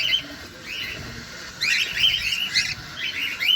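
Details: Caged cockatiel during feeding, close up: a few scratchy rising chirps, then a louder cluster of overlapping squeaky notes in the second half.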